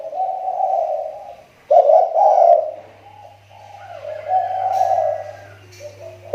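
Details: Captive spotted dove serving as a lure bird in Riau Islands, Indonesia, delivers a run of husky, rolling coos, loud then softer, phrase following phrase with short gaps, and a faint hum in the background.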